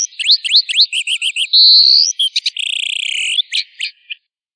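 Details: Long tail singing on a master recording used for training: quick upswept whistles and a run of short chevron notes, then a long rising whistle, a few sharp clicks and a buzzy trilled note fading out, no other sounds.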